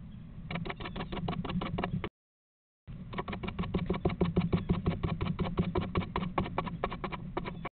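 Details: Eastern screech-owl owlets in a 2023 nest, where the smallest owlet throws its daily afternoon/evening tantrum kicking woodchips at its siblings, give harsh, raspy notes, about three a second in quick uneven bursts, over a steady low rumble, with a brief silent gap.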